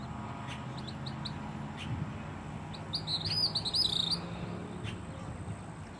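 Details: Gray kingbird singing at Siesta Key, Florida: a burst of high, buzzy, twittering chirps that rise and tumble briefly, over a steady low rumble of background noise.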